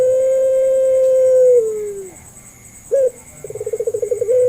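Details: Barbary dove in pelung style, a lure to make other doves respond. A long sustained coo holds level, then glides down and fades out. Silence follows, then a single short hooked note and a quick series of pulsed coos rising back into a held tone.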